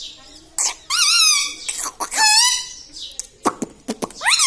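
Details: Pet parrot indoors talking, said to say mummy, papa and radhe radhe. Speech-like harmonic phrases with falling whistled tones, interspersed with short sharp clicks.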